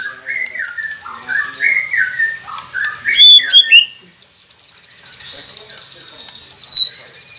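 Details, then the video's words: White-rumped shama song for prompting captive birds to sing: a run of repeated rising slurred whistles, sharp clicking notes, then a long high wavering whistle. "Murai Pendiam Cepet Buka Suara dengan masteran ini | shama bird"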